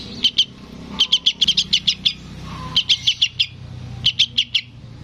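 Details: Sooty-headed bulbul chick calling its parent: high, sharp chirps in uneven bursts, first a pair, then a long run of about nine, then groups of five and four, over a faint low hum.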